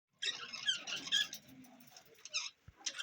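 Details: Budgerigars recorded June 11, 2024, keeping up a dense, squeaky chattering warble for about two seconds, followed by a few short, sharp chirps after a brief pause.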